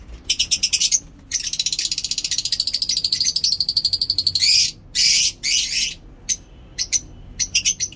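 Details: Lovebird chirping in nice weather in Peshawar: long rapid pulsed trills lasting several seconds, then a few harsh buzzy bursts and short clicking chirps.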